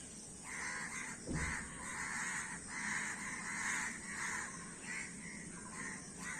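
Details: Many crows calling together: harsh, nasal caws overlap in a near-continuous chorus, with one brief low thump early on and steady background hiss throughout.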